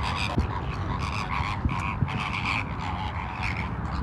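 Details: Wild flamingos, a dancing flock at Ras Al Khor Wildlife Sanctuary in Dubai, a wetland with mangroves and lagoons: harsh honking calls in quick overlapping bursts from many birds, with a steady low rumble of background noise and a few knocks.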